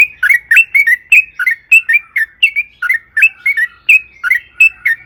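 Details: Yellow-vented bulbul singing a long rolling 'ropel panjang' phrase meant to provoke other birds into song: a steady chain of liquid, slurred two-part notes, about three per second, clean and unbroken.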